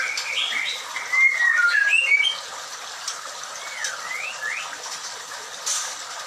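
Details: White-rumped shama at a breeding farm, recorded during Ramadan: a burst of varied clear whistled notes, some rising and some falling, for about two seconds, then softer scattered swooping whistles and faint background noise.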